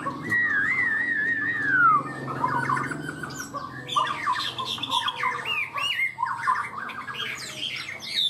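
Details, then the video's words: Caged Chinese hwamei singing in the high-pitched 'cao cầu' style, quick and steady to start singing: a long wavering whistle slides downward, then loud varied phrases of sharp rising and falling whistled notes, with low background hum. "Chim họa mi hót cao cầu, ra mỏ nhanh ổn định"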